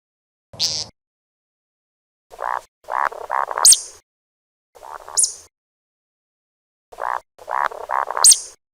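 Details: Repeated calling by a grey francolin: a high shrill note, then a quick run of three or four rasping, nasal syllables ending in a piercing squeak. The phrase is given twice with silent gaps.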